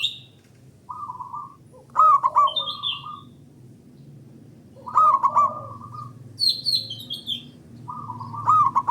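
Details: Zebra dove (local Indonesian type), its song meant to prompt other doves to sing, gives three rolling, stuttering coo phrases about three seconds apart over a low hum. Thin high chirps from other birds sound faintly.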